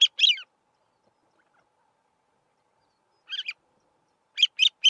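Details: Calling male Grey-winged Francolin on a grassland termite mound: short fragments of scratchy, squeaky notes, two at the start, a small cluster after a long pause and three more at the end.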